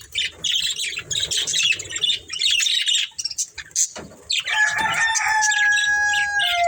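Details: Breeding pair of budgerigars chattering: dense, rapid high chirps and scratchy warbles, then a steadier stretch with sustained tonal notes near the end.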